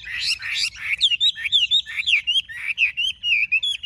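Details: Big-bodied caged Chinese hwamei delivering a loud song: two harsh bursts followed by a chain of clear, looping whistled phrases that wave up and down in pitch.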